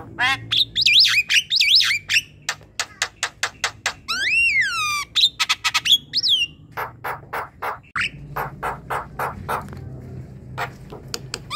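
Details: Asian pied starling singing, a recording meant to prompt a quiet, lazy starling to sing: harsh squawky bursts and rapid repeated clicks mixed with loud whistled notes that slide up and down, plus a rising arched whistle.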